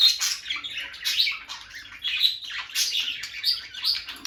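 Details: Bonded peach-faced lovebird pair sitting close near the nest box, producing continuous shrill twittering chirps that swell and fade roughly every second.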